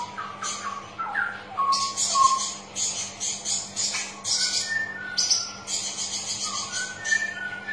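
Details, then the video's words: Straw-headed bulbul song used as a lure to stimulate reluctant birds into singing: rich, bubbling warbled phrases with rising and falling whistles, layered with sharp high chirps and a steady low hum in the background. "Suara Pancingan Burung Cucak Rowo Malas Bunyi"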